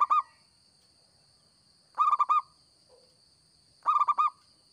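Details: Zebra dove of local stock singing energetically as a trapping lure: three rapid bubbling coo phrases about two seconds apart, a faint low note in one gap, and a steady high-pitched hum throughout.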